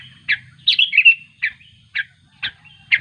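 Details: Sooty-headed bulbul calling its companions: short bright chirping notes clustered high, uneven in spacing, about six bursts in three seconds, one slurred double note near the start, faint low rumble beneath.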